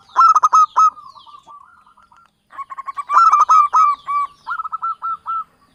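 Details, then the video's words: Lure song of a local Javanese zebra dove for trapping: two phrases of loud rapid coo notes, each trailing into a rolling purr, separated by a short silence. "SUARA BURUNG PIKAT PERKUTUT LOKAL JAWA Pancingan buat pemula"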